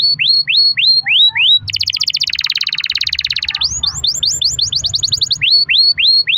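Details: Canary in energetic song, offered as a lure to make other canaries sing: quick upslurred whistles, then a long rapid buzzy roll, then faster upslurs and a return to the opening phrase, with low background hum.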